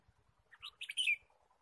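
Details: Red-whiskered bulbul in the wild, forest trapping trip, 23 March 2017: a short loud phrase of bright, rising and falling chirps ending in a sweeping whistle-like note, with faint low taps before and after.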